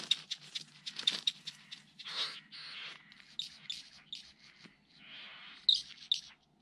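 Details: Displaying great bowerbird at Lake Bennett, Northern Territory, Australia, 27-8-20: harsh, hissing churrs and scratchy bursts with a few sharp clicks, irregularly spaced over several seconds; faint low hum underneath.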